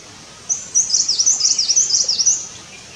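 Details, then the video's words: Himalayan Cutia busy with nest building, giving a clear series of about ten quick, high, down-swooping chirps run together in a two-second rattle, with faint insect hiss behind. "Himalayan Cutia building nest"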